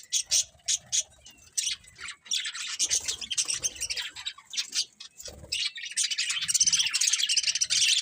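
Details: Budgerigars chirping: quick bursts of scratchy, high chirps and squawks in uneven clusters, brief pauses between flurries, then a continuous dense chattering toward the end.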